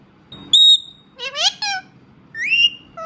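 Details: Pet Indian ringneck parrot talking: a clear pure whistled note, then a burst of rapid, voice-like harmonic syllables, and a rising-falling whistled phrase, indoors and quiet.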